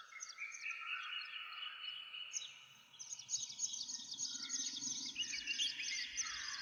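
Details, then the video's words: Forest birds at dawn near a village: layered high twitters and whistles, briefly quieter near the middle before a louder, busier burst of chirping, with a low rumble of background noise. "Morning Breeze Birds Chirping | birds sounds in the morning"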